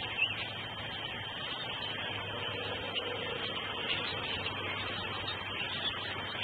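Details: Steady broadband hiss with a faint low hum, and no animal calls.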